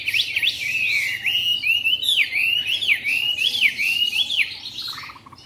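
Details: Caged young white-rumped shama, three months old, newly brought in and recorded in Hanoi: loud, clear, swooping whistles linked in a long rolling phrase of rising and falling notes, fading at the end.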